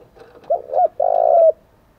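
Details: Decoy spotted dove cooing to lure wild doves in the thổ voice style. A short burst of a rising coo runs into a long throbbing rolled coo, over a soft background hiss.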